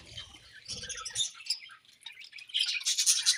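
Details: Pet budgerigars chirping during morning feeding; high scratchy chirps and chatter, sparse at first then building to a dense twittering burst, with soft rustling and tapping from feeding early on.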